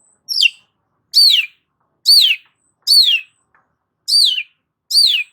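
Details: Long-tailed shrike song meant to stimulate stressed shrikes: six loud, harsh notes, each a broad downward sweep, delivered steadily about once a second in a quiet setting.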